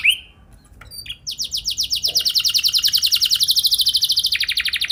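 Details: Canary training song: after a short whistle and a gap, a long fast rolling trill of repeated notes, slightly lower toward the end, over faint background hiss.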